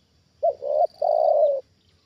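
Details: Trained spotted dove reacting to a wild bird, one loud phrase: a short coo, a swelling middle note and a long even coo lasting over half a second, with a faint high hum behind.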